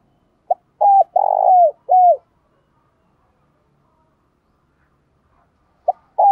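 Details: A spotted dove used as a decoy calls in the morning with mellow, mid-pitched coos: a short note, then longer notes that fall away, pausing before starting again.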